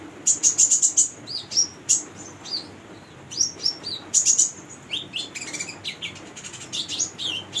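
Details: Female brown-throated sunbird in energetic song, a lure for untrained konin: quick trilled strings of very high notes, whistled slurs and lower twitters in a lively, nearly continuous chatter.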